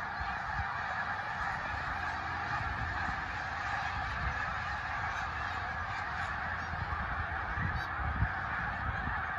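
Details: Eastern Shore Snow Geese passing overhead in a flock, heard as a steady, slightly distant massed babble of honks, with a faint low rumble underneath.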